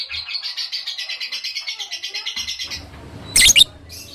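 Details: Lovebird giving its long ngekek chatter, recorded as training material for other birds: a rapid, buzzy stream of high notes at about ten per second for nearly three seconds, then a brief loud harsh burst.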